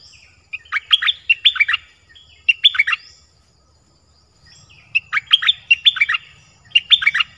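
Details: Nok dok taeng song played for young birds to learn: repeated short bursts of clustered bright chirping whistles, with pauses of about a second between phrases, and a soft low rumble in the background.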